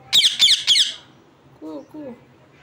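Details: Three loud, harsh parrot chirps in close sequence open the sound, fading into quiet, then two softer, lower, wavering notes.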